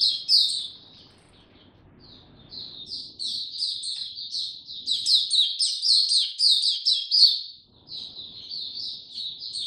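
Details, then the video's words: Kept Oriental white-eye in slow, easy opening song, recorded 2 May 2022: high, thin twittering phrases run together in a fast chatter with a brief pause near the start, over faint low room noise. "Mata Puteh Hercules buka sing go slow n easy"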